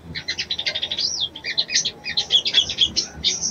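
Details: Female ruby-cheeked sunbird calling a male to arouse him: rapid high chirps and tweets in a busy run, with one short up-and-down whistled slur near the middle, about three seconds long over a faint low background hum.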